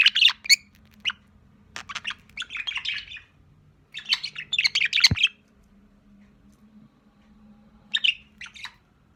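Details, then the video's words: Sociable budgerigar chick giving clusters of scratchy chirps and chatter separated by quiet gaps, with a sharp click near the middle and a low room hum throughout. "Общительный птенчик"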